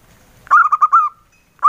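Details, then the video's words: Male local zebra dove giving its soft 'engkel' song: a quick rolling burst of five rounded, cooing notes, with the next phrase just beginning as it cuts off. "SUARA PERKUTUT LOKAL JANTAN, SUARA ENGKELnya YG EMPUK BANGET"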